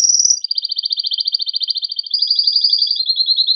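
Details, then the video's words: Loud, excited male canary song to prompt mating, one continuous fast rolling trill of high, closely packed notes holding nearly level pitch throughout. "تغريد هائج قوي لذكر كناري من أجل تحفيز أنثى وذكر الكناري على التزاوج"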